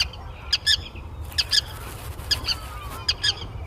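A Forster's Tern gives harsh, raspy notes in quick pairs, each pair roughly every second, over a steady low rumble of background noise.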